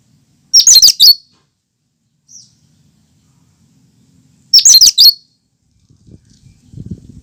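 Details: Pure cucak kinoi song with no mimicked fills, used to prompt and lure other birds: two loud bursts of rapid, high chattering notes four seconds apart, a brief high note between, and some low rustling at the end.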